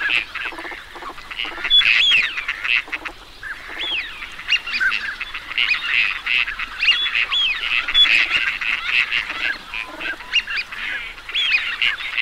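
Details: Many teal ducks calling together, steady chattering of rapid nasal notes with sliding whistles and sharp short whistles scattered through, a crowded, unbroken flock chorus.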